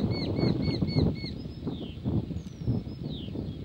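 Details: Eurasian hobby pair at the nest: a quick run of five short, arched, ringing notes, then a few thin whistled slurs dropping in pitch, over steady low rustling and rumbling background noise.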